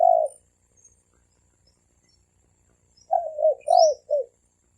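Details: Male and female spotted doves in thổ kim cooing style, used to lure wild doves: one short low coo, a pause of nearly three seconds, then a quick run of four rounded, slightly falling coos with a faint high squeak.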